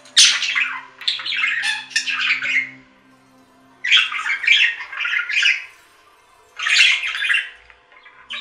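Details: Indoor pet budgerigars giving three bursts of rapid scratchy warbling and squawks, each roughly two seconds long, separated by short quiet gaps; faint steady hum in the room.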